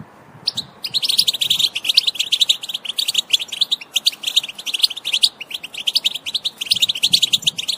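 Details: European goldfinch sound used to stimulate other goldfinches to sing: rapid, bright twittering with tinkling, liquid notes in dense continuous bursts and short pauses, loud and clear against a quiet background.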